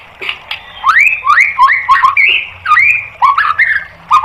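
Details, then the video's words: White-rumped shama song used as a master recording for training caged birds: a fast run of clear whistled notes, each swooping upward or sliding down, repeated in tight phrases with short gaps. "MASTERAN MURAI BATU biar EMOSI NYAUT jadi GACOR"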